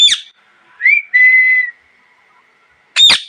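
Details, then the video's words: Parrot chirping: a harsh, broad screech, then a short rising whistle leading into a steady, level whistled note. A second loud screech ends the clip. "Parrot Chirping Sounds"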